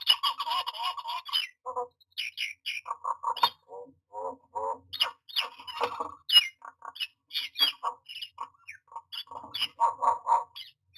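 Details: Nesting myna calling at its nest box on 09-06-2022: a long, lively chatter of gurgles, harsh squawks, clicks and sharp whistled notes, constantly changing and packed tightly over about eleven seconds.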